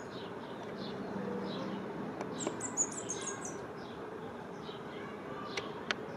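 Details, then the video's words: Cinereous conebill singing while perched on an electric wire in Chile: a brief burst of very high, thin, rapid tinkling notes lasting about a second, with scattered faint chirps from other birds and steady background hiss. "Comesebo chico (Conirostrum cinereum) Emitiendo su canto"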